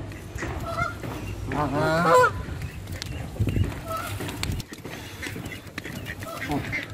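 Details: Canada geese at a hand-feeding session, a few scattered honks early on, then a burst of harsher overlapping honking calls, followed by quieter shuffling and low background rumble with occasional faint calls.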